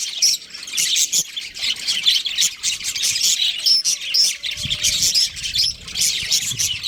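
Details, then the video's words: Budgerigar breeding pair chirping steadily, a busy warble of rasping high chatter and short whistles. A faint low rumble enters during the last two seconds. "Amazing budgie chirping sounds | budgies breeding pair"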